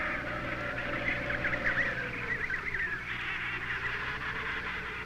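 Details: An emperor penguin chick in Antarctica, held by a researcher for banding, gives continuous, wavering, whistled trills that rise and fall, over a steady low hum.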